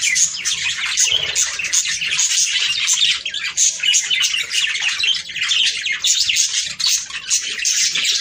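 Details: Budgerigar birds singing to stimulate breeding: a lively, continuous stream of twittering warbles, squeaks and sharp chirps, layered and steady for the whole stretch.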